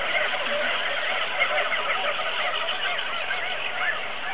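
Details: Auklets on Buldir Island, a dense chorus of many overlapping chattering and trilling calls forming a continuous wall of sound.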